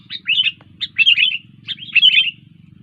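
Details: Lively sooty-headed bulbul song: three short phrases of bright, slurred chirping notes, each opening with a sharp note and running into a quick warble, with a soft low hum behind.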